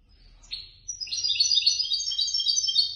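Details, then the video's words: Third-placed competition European goldfinch, from a contest run by the Casablanca bird lovers' association. A short buzzy note opens, then a rapid, liquid stream of high twittering and tinkling notes fills the rest. "الحسون الفائز بالرتبة الثالثة في المسابقة التي نظمت من طرف الجمعية البيضاوية لمحبي الطيور"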